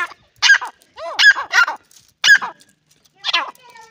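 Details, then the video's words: Dakhani grey francolin calling at close range with a run of loud, arched, harmonic notes, repeated roughly once a second in uneven pairs and singles, with quiet gaps between them. "teetar ki awaz teeter ke voice"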